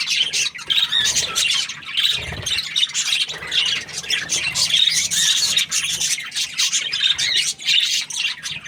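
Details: A cheerful budgie chatters nonstop in high, scratchy warbles mixed with short squawks and quick chirps, forming an unbroken jumble of notes, with one soft low bump near two seconds.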